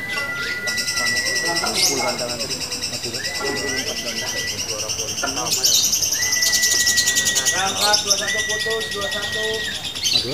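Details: Female fighter lovebird singing in the locked 'ngunci' style with short pauses: dense, rapid, buzzy high chattering trills run almost nonstop, with steady whistled tones and music underneath.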